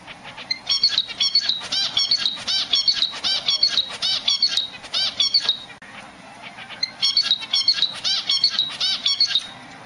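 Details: Zebra finch in its nest calling for its mate with a long run of rapid, nasal, buzzy chirps over about five seconds, a brief lull, then another dense burst of similar harmonic chirps.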